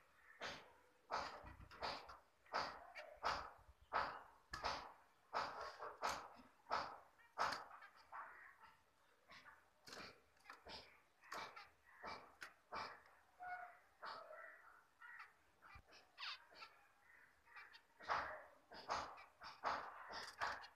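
Java sparrow song of sharp clicking chips and soft bell-like notes, with zebra finches calling too.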